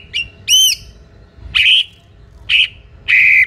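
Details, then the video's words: White-rumped shama in full song, meant to provoke other shamas into answering and turning aggressive: loud separate phrases of ringing, looping whistles and rich buzzy notes, spaced about a second apart, with quiet gaps between. "MURAI BATU GACOR , DIJAMIN MURAI MANAPUN AUTO NYAUT DAN NGAMUK SEKETIKA"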